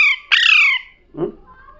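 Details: Talking parrot producing one long, harsh squawk that falls in pitch, followed by a soft low knock and faint sounds.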